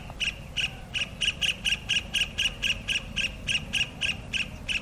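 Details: Kingfisher calling its mate with a steady series of loud, sharp, high-pitched squeaks, roughly four per second, sustained for nearly five seconds against faint low background noise.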